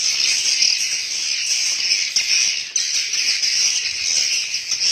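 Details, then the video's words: Inside a swiftlet house, many swiftlets produce a steady wall of high-pitched twittering, shrill overlapping chirps that hardly pause, with a short dip in loudness partway through. "SUARA ASLI BURUNG WALET DALAM RBW"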